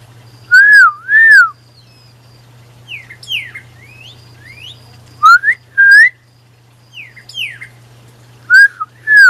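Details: A male Pyrrhuloxia calls his mate in the Tucson desert. Pairs of loud, clear, arching whistles repeat three times, with quieter slurred chips between them and a steady low hum throughout.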